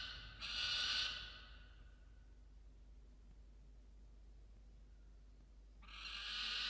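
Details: A peregrine falcon at a nest-box cam screams while protecting a musk lorikeet it brought in, at 6:09 am on 27 December 2022: two harsh, raspy screams, each under a second, with quiet hiss between.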